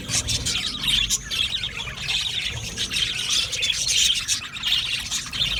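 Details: Budgerigars, an Australian parrot colony kept in an aviary, give a dense, continuous chorus of high, scratchy chirps and squawks that overlap without pause and swell and fade every second or so.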